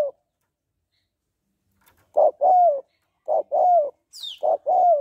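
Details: A female Spotted dove gives calling and soft cooing to stimulate males, coos in soft, low pairs of hoarse notes a second apart; a brief high, falling chirp from another bird cuts in.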